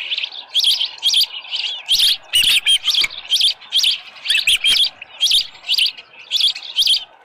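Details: At an osprey nest on a ranch, 24 July 2018 around 6:52 AM with a headless fish: repeated piercing cheeps about twice a second, with a short rough chatter near the middle.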